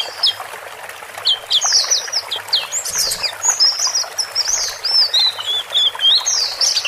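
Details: Male and female white-eyes give a busy stream of thin, high, sweeping chirps and short twittering phrases, several birds calling over one another.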